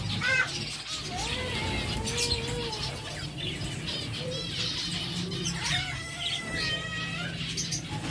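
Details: Captive zebra finches eating seeds, giving short nasal, harmonic beeping calls, some level and some gently wavering, overlapping in bursts among soft chirps and wing flutters from other birds against a steady low hum.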